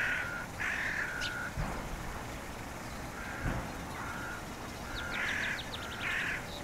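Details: Black-headed gull giving repeated rough, grating cries, some long and some clipped, spaced irregularly, with thin high twittering of other birds and a few clicks.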